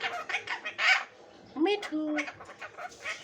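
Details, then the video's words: Pet Indian ringneck parakeet in India talking, repeating speech-like syllables with harsh scratchy notes and a few squeaky tones. "INDIAN RINGNECK TALKING PARROT VIDEO"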